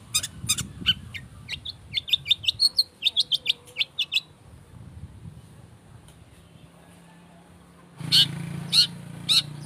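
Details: Long-tailed shrike lure song to provoke singing: rapid harsh chattering and sharp clicks for about four seconds, a near-silent pause, then loud scratchy notes returning over a low hum.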